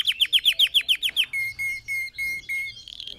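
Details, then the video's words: Red factor canary singing, used for training other birds to sing: a fast series of about ten sharp downward-swept chirps, then a run of clear, steady whistled notes at a lower pitch. "Red Factor Canary Singing"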